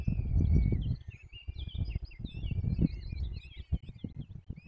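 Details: Peregrine falcon chicks being fed at a forest nest in the Barycz Valley, Poland, 17 April 2024: thin, whining, slightly wavering high calls overlapping in a steady stream, over heavy low rumbling and thumping noise.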